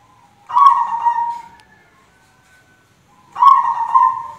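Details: Zebra dove, described as the white 'kapas putih' type. Two soft, mellow cooing phrases about three seconds apart, each a slightly wavering, rolling coo that trails off, with near silence between.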